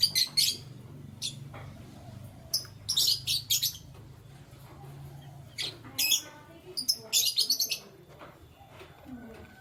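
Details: Morning chirping from canaries, with clusters of sharp high tweets early on and again near the middle and end, over a steady low droning hum through the first half.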